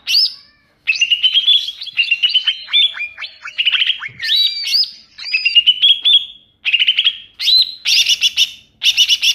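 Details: Wild greater green leafbird lure sound for attracting birds: a varied run of bright whistled and chirping phrases, some rising and some looping up and down, delivered with brief pauses and ending in rapid buzzy notes.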